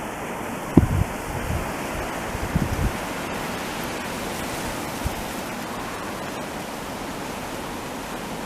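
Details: Rushing water-like noise fills the recording, with a few low thumps and bumps early on and no animal calls.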